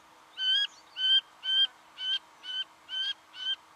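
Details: Singing honeyeater in Victoria, Australia, November 2011, calling steadily: seven harmonic, nasal, even-pitched notes repeated about every half second in a clean run.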